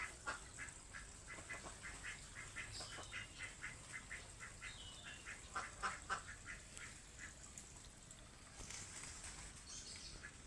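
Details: Chickens described as plump give quick bursts of short nasal clucks, several per second in uneven runs, plus a few higher thin chirps, over a constant high hiss of outdoor background noise.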